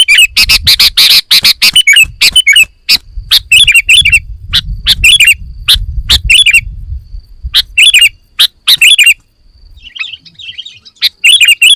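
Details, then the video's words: Sooty-headed bulbul fill-in song: dense, sharp clicking bursts mixed with chattering, slurred whistled notes, then sparser bubbly phrases separated by pauses. "Suara Kutilang Full Isian - Biar Makin GACOR"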